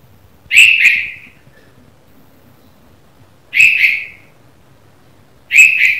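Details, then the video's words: In the morning a red-vented bulbul repeats a loud, sharp two-note chirp three times with long gaps of about two to three seconds, each note bright and falling slightly; faint hum underneath. "Red Vented Bulbul Chirping Sound - The Morning Sound Of A Bulbul Bird"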